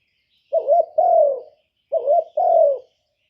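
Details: Spotted dove used as a lure bird to draw wild doves, giving paired cooing notes, a short wavering coo then a longer falling one, the pair heard twice in quiet surroundings.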